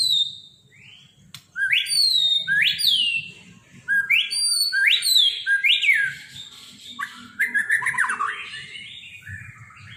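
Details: White-rumped shama, a trophy-winning competition bird, singing unusual mimicked phrases: bright whistled notes sliding up and down, quick slurred sweeps and chattering runs in rapid bursts, over a faint low hum.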